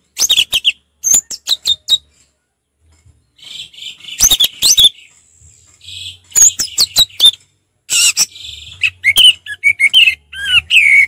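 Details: Orange-headed thrush singing in a relaxed, open 'ngeplong' style: rapid bursts of sharp clear whistles and slurred high notes, clustered phrases broken by short pauses, with varied rising and falling notes throughout.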